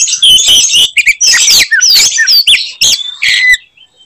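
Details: Oriental magpie-robin giving a provocative fighting song to enrage other magpie-robins: dense loud mix of whistled downslurs and buzzy harsh notes in quick succession, ending abruptly.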